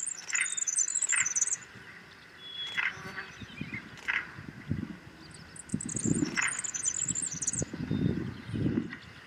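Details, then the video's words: Grasshopper Sparrow on a windy day gives two very high, thin, insect-like buzzy songs about six seconds apart, with wind rumble and sharp shutter clicks from a nearby photographer's camera. "But these are grasshopper sparrows, and let's see if you can hear the insect-like song."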